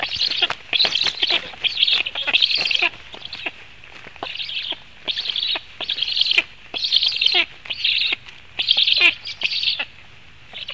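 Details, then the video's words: Black storks feeding in Latvia on 17 July 2015 at 16:57; repeated bouts of shrill, rapid twittering calls, each lasting about a second, coming roughly every one to two seconds with brief quiet gaps. "Latvian Black Storks - Feeding"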